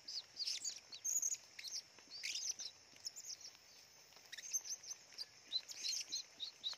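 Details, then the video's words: Blue-crowned hanging parrot, vocal and active deep in forest, giving clusters of sharp, very high squeaky chirps and short twittering runs with brief gaps, against a constant thin high-pitched background hum. "Serindit gacor"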